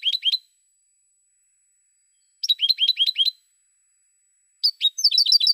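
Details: 2016 recording of European goldfinch song: three bursts of fast, repeated high chirping notes separated by pauses of about two seconds, the last burst more varied and twittery, with a faint steady high tone.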